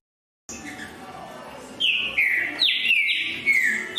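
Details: Green-winged saltator: after a quiet start, a burst of loud whistled notes, each gliding downward, repeated at a brisk pace.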